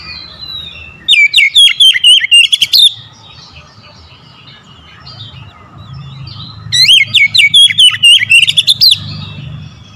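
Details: Oriental magpie-robin, a caged household bird, singing loud after being prompted: two bursts of rapid, varied whistled and chattering phrases about two seconds long, separated by quiet with a low hum behind.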